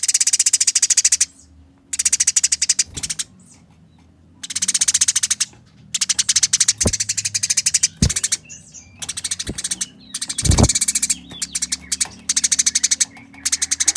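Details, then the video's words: Eurasian tree sparrows fighting keep up long runs of rapid, grating chatter broken by short silences. Several sharp knock-like thumps cut through the middle section. "Burung Gereja Tarung Nyerecet Kasaran Speed Rapat Suara Jernih"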